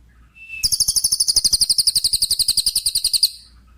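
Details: Lesser green leafbird (cililin), whose song serves as a tutor for songbirds after moulting: a short thin whistle, then a fast run of high, buzzy repeated notes lasting under three seconds before stopping.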